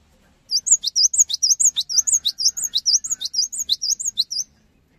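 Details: Cinereous tit singing to stimulate other tits to join in: a fast, steady series of about twenty high, sharp, slurred chirps, each a quick up-and-down note, delivered over four seconds against a quiet background.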